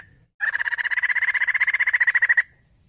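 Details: Female white-crested laughingthrush: a steady rapid rattle of about thirty even, harsh pulses over two seconds, abrupt start and stop, with quiet low background hum before and after.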